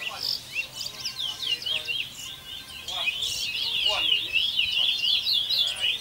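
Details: Caged chestnut-bellied seed finches (local bullfinch) at an annual whistling competition, Malabar, Arima, Trinidad, 2019; fast, continuous high twittering and warbled trills with quick rising and falling notes. Faint low background murmur throughout.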